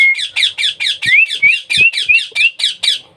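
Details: Baby parrot during hand-feeding, squawking harshly and repeatedly, about four calls a second. A thin rising whistle runs alongside several of the calls, with soft low thumps between some of them.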